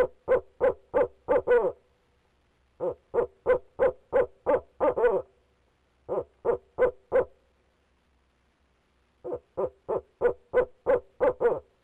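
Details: Barred owl male hooting from his nest box in Leesville, 2018, during a long bout of calling: four bursts of five to eight quick, resonant hoots separated by pauses of one to two seconds, in a quiet box interior.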